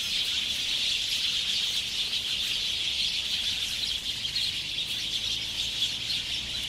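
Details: House sparrows gathering to roost at dusk in late summer at Ngahinapouri, Waikato, New Zealand, 8 February 2021, taken with clip-on omni mics and a Zoom H5; a dense, unbroken chorus of many overlapping high chirps and chatters.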